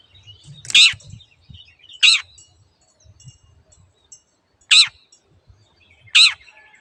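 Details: Long-tailed shrike in a master recording meant to get silent caged birds singing again: four strident, scratchy screeches with pauses of about 1.3 to 2.6 seconds, and faint high twittering in the background.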